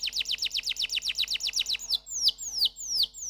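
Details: Canary song: a quick series of sharply falling whistled notes, about five per second, then a slower run of sweeping downward slurs with clear gaps between them.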